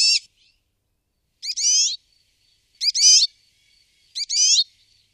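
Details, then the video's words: Brambling calling: four short harsh rasping notes at intervals of about one and a half seconds, each a buzzy descending burst, with faint thin whistles between them. "Der Bergfink oder Nordfink"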